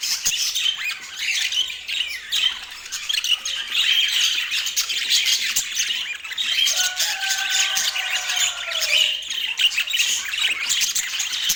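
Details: High scratchy squawks and chirps from pet budgies in Portland fill the recording, while a lower drawn-out whistling tone with overtones slides downward in the middle.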